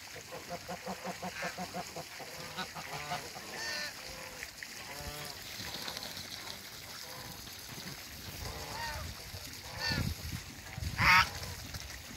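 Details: On a farm with waterbirds, a couple of African geese meet, calling in quick short honks that give way to longer arched nasal notes, with splashing and other fowl noises in the background.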